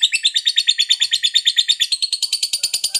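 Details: Lovebird ngekek, the rapid chattering song used to provoke other lovebirds: evenly spaced buzzy squeaks repeated about seven per second, stepping up to a higher, tighter rattle in the final second.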